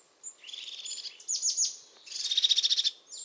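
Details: Crested tit from Portugal, where it lives in pine forest year-round: a high buzzy rattling trill, then a few sharp descending high notes, then another pulsing purr.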